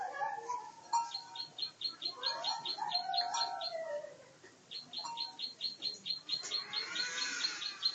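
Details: Champion plain prinia, a 'gacor' singer in fighting-style singing form, delivering rapid high chips repeated about twice per second in long runs, with lower whistled slurs and other chirping birds in the background.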